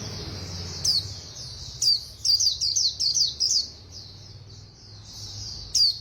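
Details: White-eye of the Khuyên Líu singing style, praised for fast delivery: high thin slurred whistles in scattered bursts, then a quick run of sharp chattering notes near the middle, with a low rumble underneath.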